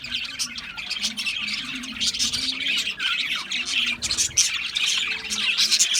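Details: Chirping budgies: high, grating chatter with squawks and short descending whistled notes, a few brief low hums underneath, many calls overlapping.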